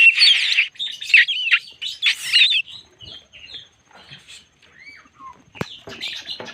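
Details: Crested Oriental magpie-robin lure song: a loud rush of mixed whistles and harsh notes for about two seconds, then softer scattered whistles and a sharp click.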